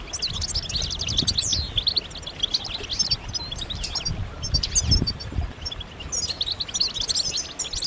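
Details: European goldfinches in a group chorus of mating calls to encourage males to sing; rapid twittering with rising and falling notes, bursts separated by short gaps, over low rumbling background.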